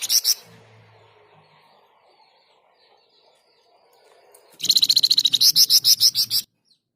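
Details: Flamboyan in full, lively song, a bird kept for training other songbirds. After a short opening burst and quiet, a loud run of fast, sharp, high notes repeats about three times a second for nearly two seconds.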